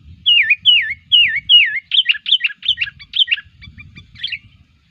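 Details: Sooty-headed bulbul, a lively singer used as a lure for catching birds: four matching slurred whistles dipping then rising, followed by quicker, more jumbled warbled phrases and scattered short notes, with faint low rumbling underneath.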